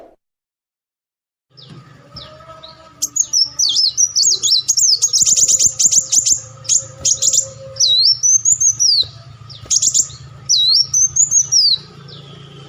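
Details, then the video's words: Olive-backed sunbird call used as a lure to attract birds: high, sharp chirps and looping whistled phrases, some rapid ticking bursts, repeated in quick clusters after a quiet start, over a low steady hum. "audio pancingan burung madu Wulung/Muncang"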